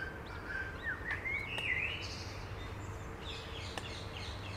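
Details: Eurasian coot family with seven chicks at Beverwijk, Netherlands: a run of short, thin whistled notes stepping upward, followed by softer, higher notes, over a constant low rumble of outdoor noise.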